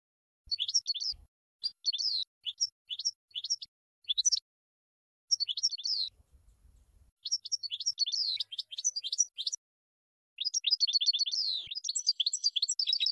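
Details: Goldfinch maestro recording used to teach song: short twittering phrases separated by pauses, some with metallic rising notes, ending in a sustained rapid tinkling sequence. Faint low rumbles are heard between phrases.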